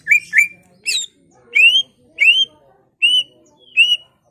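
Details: Greater green leafbird ngentrok song, played to rouse other leafbirds: clear rising whistled notes repeated about every half second, each sweeping upward, with a few sharp higher chips between them.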